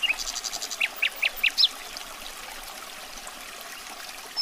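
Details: Common nightingale song: a short fast run of notes, then several clear, separate whistled notes, the last rising and falling, before a quieter stretch of hiss.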